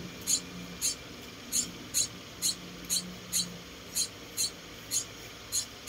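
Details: Four tiny rescued munia babies during hand-feeding indoors give high, thin squeaks spaced roughly every half second, a little uneven in timing, over a quiet background with a faint low hum.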